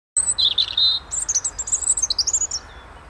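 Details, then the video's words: A robin sings in February: a thin, high warble of a few drawn-out whistled notes, then a quick run of tumbling, changing twitters, against a quiet background. "Robin singing"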